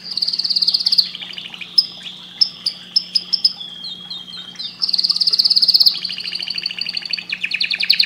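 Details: Canary singing to stimulate breeding, loud and bright: a fast buzzy roll, a run of sharp clipped notes, gliding whistles, then another rapid rolling trill and a stuttering chatter, over a faint low hum.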